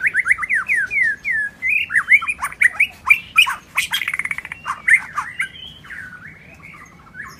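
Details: Wild white-rumped shama singing in forest: rich varied phrases of clear whistled notes, rising and falling slurs, with interspersed rapid buzzy and chattering notes, ending in softer drawn-out whistles; quiet background.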